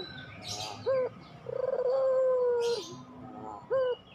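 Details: Puter pelung dove giving a clipped introductory note, a long sustained mellow coo of over a second, then another clipped note; scattered high chirps of other birds in the distance.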